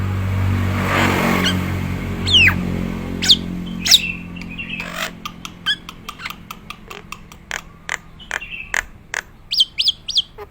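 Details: Nias hill myna, a caged bird kept for song: scattered sharp downslurred whistles and loud clicks, then a rapid run of short metallic notes and upswept whistles, with steady low hum behind.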